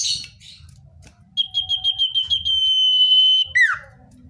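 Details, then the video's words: Common iora, natural recording meant to draw wild birds closer: brief noisy notes, then rapid pulsed whistles flowing into a held level whistle that ends in a swooping downward note. Low rumble in background. "Suara cipoh/sirtu (natural)"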